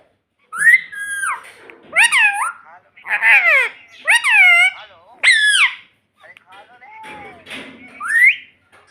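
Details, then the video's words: Talking parrot kept as a pet, calling "mummy": a series of bright, bending, speech-like syllables, roughly one each second, then softer, lower mumbling and a final rising note. "Parrot Talking Mummy Mummy || Bolne Wala Tota || Talking Parrot"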